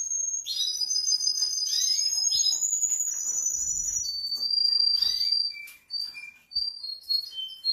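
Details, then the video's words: Russian canary in full song, with rapid continuous trills and high sustained whistles that run together, fast rolling tours and sliding notes, and brief gaps near the end. "Russian Canary Singing|Kanarienvogel Gesang"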